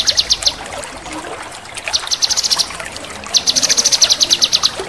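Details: Male cucak kinoi chattering in 'crecetan' style: three bursts of fast, metallic high notes, each longer than the last, with trickling water behind.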